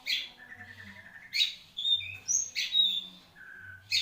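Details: Long-tailed shrike, a caged Marlboro-type songbird, gives harsh buzzy bursts mixed with clear high whistled notes and a lower drawn-out tone, irregularly spaced, over a soft low hum.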